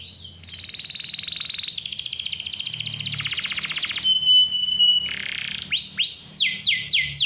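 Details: Lively, clear-voiced canary singing, played as a lure to prompt young or lazy canaries to sing: long rapid buzzy trills, a pure sustained whistle, then quick upward-curving notes repeated several times.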